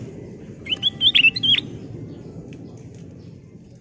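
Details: A sooty-headed bulbul delivers a short full-song phrase, used as a lure for other birds: a rapid chain of looping, liquid whistles lasting about a second, over a constant low background rumble.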